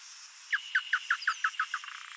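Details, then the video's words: Wild male double-collared seedeater gives a run of eight crisp, similar downward-slurred whistled notes about a fifth of a second apart, trailing into softer fading notes, with a faint high tone in the background. "Coleirinho Macho: Ave Canora Livre na Natureza"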